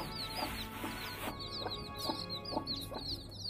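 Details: Hen with newly hatched chicks eating rice: a dense stream of high, thin, downward-slurred chick peeps over lower, short hen clucks spaced about every half second, with a steady low hum underneath.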